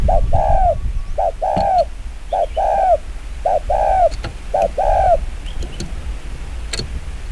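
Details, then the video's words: Very fast 'chiêu gù kích bổi' coo of a spotted dove: repeated two-part phrases, a short note then a longer slurred coo falling at the end, about once a second, over low rumble and faint clicks. "Tiếng chim quân tử chiêu gù kích bổi cực nhanh"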